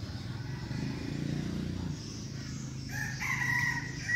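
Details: Crow of a seven-month-old decoy red junglefowl rooster, strong-winged and eager to crow, Vietnam: after a low engine hum, a sharp, high, clipped crow of about one second with a slight rise.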